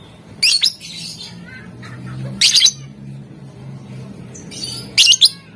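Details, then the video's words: Lovebird, lively and vocal, used to provoke rivals to answer: three bursts of shrill, grating chirps roughly two seconds apart, with a soft low droning hum between them. "Suara Lovebird Gacor Memancing Emosi Lawan, Bikin Lawan Langsung Nyaut"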